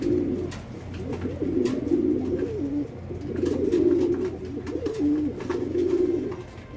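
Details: Domestic fancy pigeons on a farm in Bangladesh cooing almost continuously, low throaty rolling phrases roughly every two seconds, overlapping and swelling, with a constant low background hum.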